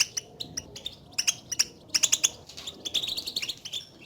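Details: European goldfinch contact calls, the chatter goldfinches use to call one another and announce their presence, said to stir a silent caged bird into song; bursts of high, bright twittering notes come in clusters, louder around the second and third seconds.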